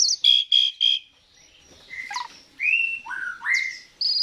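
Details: Asian pied starling song for luring birds to sing: three quick harsh bursts, a short quiet gap, then several clear upslurred and downslurred whistles.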